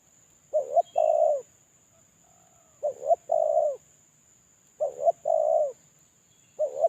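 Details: Captive spotted dove serving as a lure bird, in moult and calling solo, gives repeated two-part coo phrases about every two seconds, with a short stuttered opening and a longer steady coo. A thin constant high hum runs underneath.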